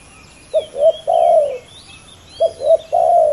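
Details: A fierce pair of male spotted doves in a ground decoy contest: two clear cooing phrases, each two quick low notes then a longer held coo, with faint high bird twitter behind.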